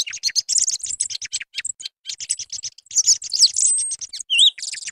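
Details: Song thrush song used as a hunting lure: a dense run of varied high, clear and scratchy notes, quick chirps and short trills. Near the end come a long thin whistle and a pair of slurred notes.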